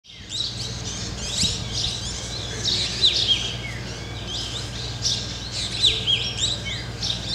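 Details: A flock of black drongos perched together in a tree in the jungles of Ranthambore, Rajasthan, India; a busy, continuous chatter of sharp chirps and slurred, downward whistled notes from several birds over a steady low hum.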